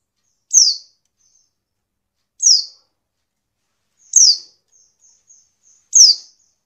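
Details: Calling of a female Oriental white-eye meant to stimulate males to sing, four sharp descending high notes roughly two seconds apart, with faint thin whistled trills between the later notes.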